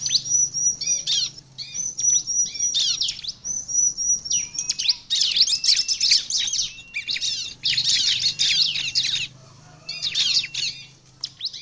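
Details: Bar-winged prinia (Prinia familiaris) singing rapid, high, buzzy chattering bursts with sharp chips in quick runs of a second or two, over a faint low hum; used as a lure to draw other prinias.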